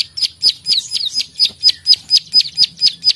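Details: Fighting, chatty plain prinia (prenjak sawah) calling klik-klik: high, sharp, downslurred clicks, around twelve in three seconds, spaced evenly at roughly two per second.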